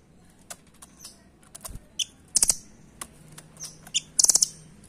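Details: Velvet-fronted nuthatch, a bird now absent from the wild where the recording was made and found only at bird markets; scattered sharp, high chirps and short stuttered bursts of notes, with quiet pauses between them and a faint low hum in the background.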